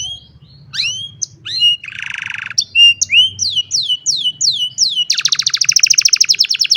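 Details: Old canary on a sunny morning, cellphone recording: mixed whistles and slurs, a buzzy rattle, a run of repeated rising-falling notes, ending in a fast high trill; faint low hum beneath.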